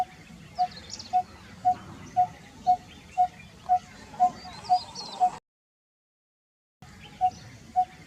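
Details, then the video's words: Steady series of about ten low, hollow tapping notes from a coppersmith barbet, evenly spaced around two per second, then a brief silence and two more notes, over faint high-pitched twitters of other birds. "Coppersmith Barbet"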